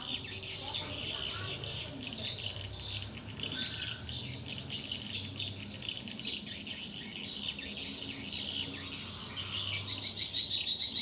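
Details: Swiftlets at a four-storey swiftlet house, five by ten in size and active for four months: dense high twittering and rapid chirps overlap continuously, with a steady low hum underneath.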